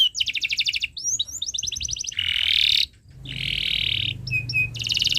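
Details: Tutor recording of a canary singing for young birds to learn from: rapid chirp runs and quick rolls, two long buzzy trills split by a short pause, then clear whistled notes and a closing trill.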